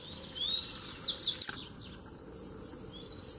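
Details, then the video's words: Double-collared seedeater in a fighting duel, one of three that came to a lure bird at once. A short burst of high slurred whistles, a loud thump, then quieter faint notes. "VEIO 3 COLEIROS BRIGAR DE UMA VEZ SÓ DUELO DE FIBRA!!!"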